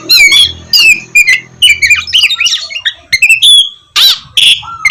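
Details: Oriental magpie-robin (kacer) in 'gacor' song, played as a morning lure for lazy birds; harsh, squawky notes mixed with quick whistled slurs and one long sustained whistle, over a faint low background hum.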